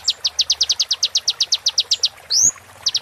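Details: Kolibri ninja sunbird tutor recording for moulting caged birds: a steady, rapid train of high ticking notes, broken once by a loud, sharp rising whistle, then the ticking resumes.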